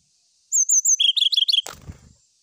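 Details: Brown-chested jungle flycatcher singing in search of a rival: three high, drawn whistles, then a fast burst of lower, bouncing, slurred notes, cut off by a sharp click and brief rustling.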